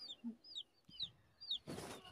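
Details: Young chicken chicks kept on a home balcony alongside rabbits: high, thin, downward-sliding peeps repeated about every half second, one lower chirp early on, and a short burst of rustling noise at the end.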